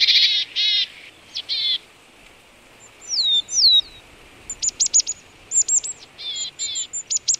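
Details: A marsh tit near a boar carcass in Vitebsk Oblast, Belarus, on a February morning at -18 °C gives buzzy, harsh notes, then a few slurred whistles, and ends with a quick run of thin, high, bright notes.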